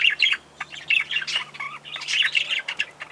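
A lineolated parakeet chatters in quick, scratchy bursts of high, slightly squawky notes, several each second, over a faint steady low hum.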